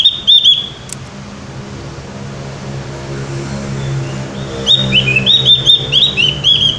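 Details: Javan white-eye, gacor ngeplong style: a brief high whistled burst, a quiet pause, then a run of quick, high, twittering whistled notes with rising and falling slurs.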